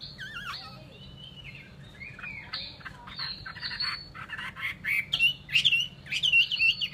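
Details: Chinese hwamei singing, a varied run of rising and falling whistled phrases, some warbled, with sharp clicks and loud rapid bright notes toward the end.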